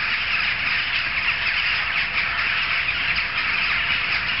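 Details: A throng of jackdaws, loud from several streets away, gives a relentless chorus of harsh cawing notes, the overlapping voices swelling slightly in places but never stopping.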